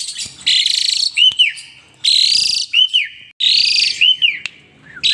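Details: Asian pied starling in excited song with pumping and head-nodding. Scratchy buzzy bursts repeat about every one and a half seconds, each ending in short arched whistles.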